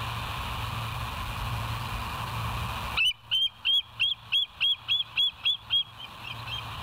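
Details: At the West End, a bald eagle seen by a live cam on 07/09/2023 at 06:24 breaks out after three seconds of hum into a regular string of shrill, short whistled notes, roughly three each second.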